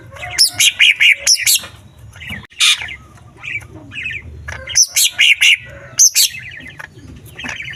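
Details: Green leafbird singing a lure song full of small-bird imitations meant to rouse rival leafbirds: dense bursts of bright chattering trills and sharp high chips, several clusters separated by short pauses, with a low background hum.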